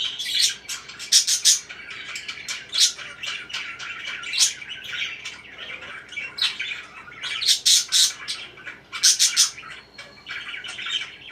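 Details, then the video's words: Parakeets chatter steadily, with bright scratchy chirps and harsh squawks in bursts every second or so, rising to busier peaks near the middle and end. "BEAUTIFUL CHIRPING NOISES"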